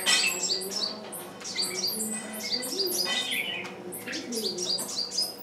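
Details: Decoy bird keeps calling to attract wild birds, without success; rapid bright chirps and falling high notes tumble over one another, with some softer, lower warbling sounds underneath.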